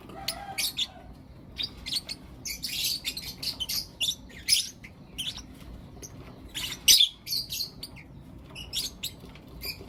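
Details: Blue opaline and lutino opaline lovebirds chirping in the morning at home, a lively stream of piercing high chirps and rasping squawks, fast and irregular, several calls packed closely together, room otherwise quiet.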